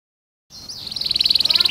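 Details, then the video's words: Canary singing, played to encourage young birds to learn to sing: after a brief silence, a short rising whistle leads into a fast, steady high trill of pulsed notes. "Burung kenari gacor panjang Cuit Cuit ngerol Pancingan Kenari Paud belajar bunyi"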